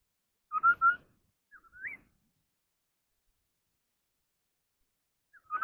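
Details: Chinese hwamei of the ground type singing contest song: two loud paired whistled notes, then a softer upward-swept whistle, a silent stretch, and a final strong whistled note.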